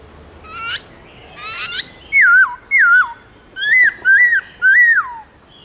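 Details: A white-browed laughingthrush gives a loud forest-style song. Two harsh, rising notes open it, then five clear whistled phrases, each climbing and then sliding down, follow about every half second.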